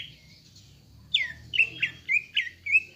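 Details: Provocation song of a greater green leafbird, used to make caged birds emotional and combative: after a quiet start, six rich downslurred whistles follow in quick succession, roughly three per second, with a faint hum beneath.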